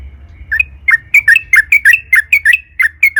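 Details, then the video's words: Sooty-headed bulbul lure song in long rolling style to get other bulbuls singing: paired down-and-up whistled chirps repeated roughly three times a second in a bouncy rhythm. "KICAU trucukan gacor JITU NGALAS ROPEL PANJANG buat PANCINGAN agar burung trucuk gacor SEKETIKA"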